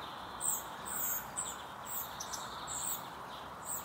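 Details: Spotted flycatcher chick begging from its feeding mother: rapid run of shrill, high squeaky notes, several per second, some doubled, against constant background hiss.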